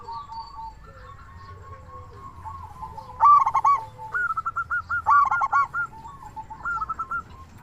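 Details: Local zebra dove, used as a lure to get other doves calling and raise their breeding drive; after a faint start, loud bursts of fast rolling coos at about three seconds, then a chain of quick repeated bubbling notes.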